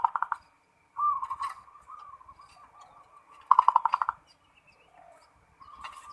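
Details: Local perkutut or zebra dove singing in ngerot style to raise breeding mood: short bursts of fast pulsed cooing separated by softer drawn-out coos, with faint clicks and rustling in the background.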